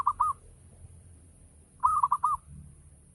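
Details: Zebra dove of local stock giving ngayer-style lure song to stir other doves into answering: the tail of one phrase, then a full quick run of four rounded cooing notes.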